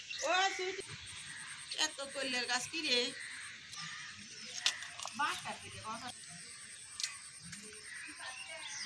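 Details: A talking common hill myna playing in a garden speaks in short, voice-like phrases and squawks, with harsh whistles between words; a thin, steady high buzz runs in the background.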